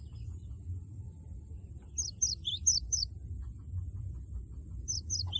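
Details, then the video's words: Loud 'wucit wucit' song of a cinereous tit, used to spur a rival to sing: one burst of sharp high two-part notes with a dipping tail, then a second short burst at the end, with low hum beneath. "Gelatik batu gacor suara lantang wucit wucit merangsang lawan agar ikut bunyi gacor"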